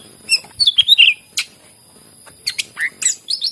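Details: Greater green leafbird song used to prompt other leafbirds to sing: bursts of sharp high whistles and chattering notes, some sliding downward, in quick clusters separated by short pauses, with a faint steady high hum behind.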